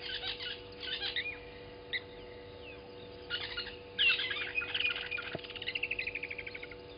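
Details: Southern masked weavers, newly arrived at Gowrie dam waterhole on Djuma Game Reserve, Sabi Sand, South Africa, at 07:30 on 12/06/20. Bursts of buzzy, scratchy chatter, ending in a rapid run of evenly pulsed notes. Steady low hum underneath.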